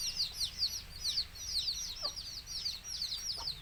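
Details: Chicks of village chickens chirping while a mother hen calls them to eat; rapid high descending peeps in quick bursts, crowded together, and two faint short low notes.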